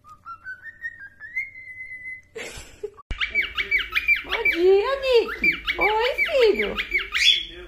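A cockatiel whistles a slow rising tune, then a burst of rapid, repeated up-and-down whistles over lower warbling chatter that sounds like mimicked speech.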